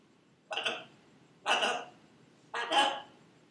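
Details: Female pet Buffon's macaw repeats her name three times, each a short hoarse two-syllable utterance about one second apart, with a low steady hum behind.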